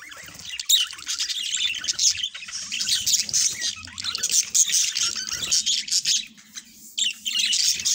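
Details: Two pet budgerigars singing and talking: dense, continuous high chattering warble with scratchy squeaks and clicks, briefly thinning near the middle before resuming, faint low rumble beneath.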